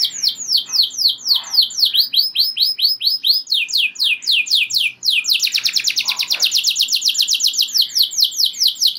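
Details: Canary in full song, used to stir other canaries to sing: a run of sharp descending whistled notes, then a dense, rapid rolling trill in the second half, all high-pitched and loud.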